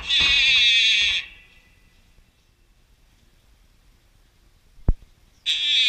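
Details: A Malayan night heron fledgling at a wild bird rescue center gives harsh, buzzy, high-pitched begging calls: a one-second burst, a quiet pause with one sharp click, then another burst.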